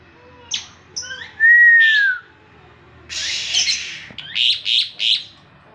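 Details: An Asian pied starling sings in the morning, a jumbled phrase: a few squeaks, one clear arched whistle, a harsh hissing burst, then three quick chattering notes.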